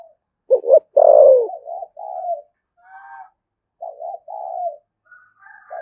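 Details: Spotted dove from Đồng Nai, Vietnam, cooing in the 'thổ sấm' voice with 'thúc gù' style. A short double note leads into a loud, falling coo and softer trailing notes. Faint higher notes from another bird appear between phrases.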